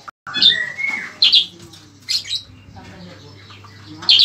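Ashy Tailorbird gives sharp, buzzy bursts of high notes about once a second, with a brief lower whistled phrase early on, over faint background hum.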